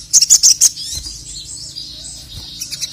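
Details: Male crested jay, sung to provoke rivals: a quick burst of five sharp, very high chips in under a second, followed by a thin, faint high hiss of softer notes and a few scattered chips at the end.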